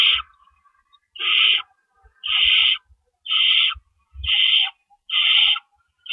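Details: Owl nest at night, early April 4, 2012, while parents bring rabbits; rasping hissing screeches repeat about once a second, broad and noisy, over faint low thumps of movement.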